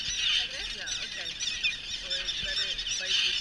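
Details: Common terns at a nesting colony on Great Gull Island, where adults are trapped at nests for banding; dense overlapping harsh, high calls fill the air continuously, with a few lower squawks beneath.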